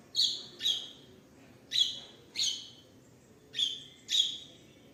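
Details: House sparrow fighting calls: single sharp, descending chirps spaced irregularly, about two per second in pairs, clear against a quiet background.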